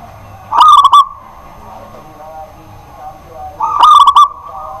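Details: Local zebra dove singing at night, a pet bird singing tirelessly; two loud stuttered cooing phrases about three seconds apart, each a quick run of clipped, ringing notes, with a faint steady hum between them.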